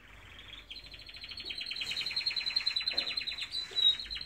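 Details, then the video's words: Canaries singing in the morning: a long, rapid trilled song of fast repeated notes, steadily building in loudness, with a high sustained whistled tone running through it. "Beautiful canaries singing in the morning"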